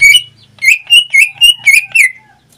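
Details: Greater green leafbird kept as a pet, singing a fast chain of bright whistled notes with a buzzy edge, about seven phrases in under three seconds over a faint low hum.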